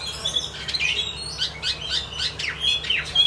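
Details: A kept Chinese hwamei sings loud, varied phrases of quick whistled and harsher notes that leap and slide through a high range in rapid succession, over a faint low hum.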